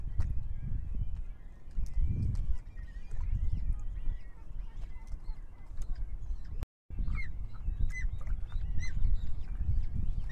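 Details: Breeding Osprey pair from a reintroduction project at their nest in Marais d'Orx reserve, France, morning of 18 May 2023. Constant low rumble of wind at first, then clear high whistled chirps come in quick succession near the end.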